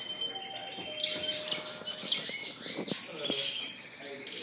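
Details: Dense chorus of caged Spanish Timbrado and Gloster canaries in a shop on April 9, 2016, with layered high warbles, sweeping whistles and rapid twitters, plus a few clicks.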